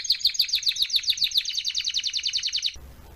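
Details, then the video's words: ['Domestic canary song used as a tutor recording for teaching young canaries to sing: a fast, even trill of high buzzy notes repeated about three or four per second, stopping abruptly near the end into faint background hiss.'] "meilleur chant de canari pour l'écolage"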